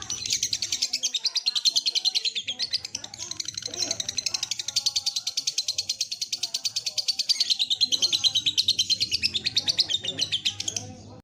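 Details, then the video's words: Lovebird training recording, played as therapy so birds start their ngekek song sooner: a continuous, rapid, high-pitched chattering trill of steady pulses lasting the whole eleven seconds, with faint low background murmurs underneath. "Masteran Burung Lovebird - terapi biar cepat ngekek!!"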